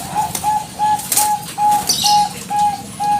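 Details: Zebra dove of the Bangkok type, an energetic caller used to provoke replies; clear, even whistled notes repeated roughly twice per second in a steady rhythm, with a couple of short background rustles.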